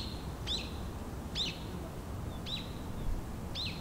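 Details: Japanese white-eye seeking nectar in full-bloom cherry blossoms; short high downslurred chirps repeated roughly once a second, four in all, over low ambient rumble.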